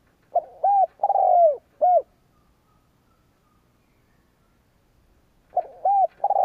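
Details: Spotted dove used as a lure bird to provoke rival males. One complete low cooing phrase, short note, arched coo, long descending purr and closing coo, is followed by about three seconds of silence before the phrase starts again.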